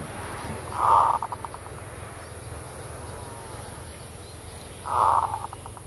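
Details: Kerot-style zebra dove song used as a bird lure, two phrases about four seconds apart, each opening with a rich rolling coo and trailing off into a quick row of short staccato notes against a quiet hiss.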